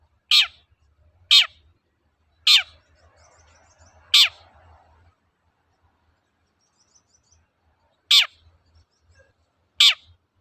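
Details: Long-tailed shrike's 'toet-toet' lure song for prompting reluctant birds to sing: six shrill, quick descending notes, four close together and then a pause before two more, over a quiet low hum.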